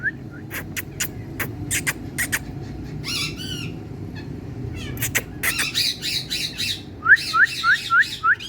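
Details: Indian parrot sitting in sunlight, giving a lively mix of clipped squawks, sharp clicks and buzzy harmonic chatter. It ends with a run of five quick rising whistled notes, against a low steady background hum.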